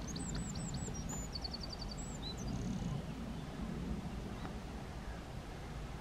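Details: A Eurasian wren at RSPB Lakenheath gives a quick burst of very high, thin notes and a rapid trill, over a steady low rumble of wind or distant traffic.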